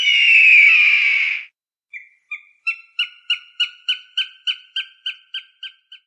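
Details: Hawk call used to drive off crows: one long harsh scream, then a run of short clipped piping notes repeated about three times a second, getting louder and steadier.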